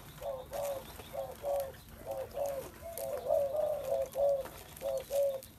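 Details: Spotted dove calling in a run of short, soft, low-pitched coos, roughly one per second, with a slightly longer, steadier coo in the middle of the series.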